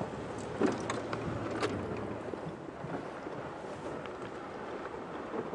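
Vehicle rumble and wind noise fill an outdoor evening drive, with a few faint clicks and knocks and no animal sound heard.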